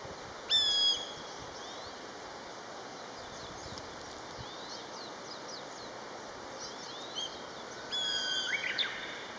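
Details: Common buzzard, one of a pair calling to each other: a thin, high, down-slurred mewing cry near the start and a second near the end, faint chirps of small birds in between over steady background hiss.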